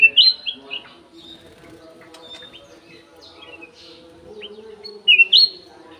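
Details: Golden-fronted leafbird housed in an aviary opens with loud rich whistled phrases, goes quiet with faint chips, then repeats a strong looping whistle; low mechanical-sounding hum in the background.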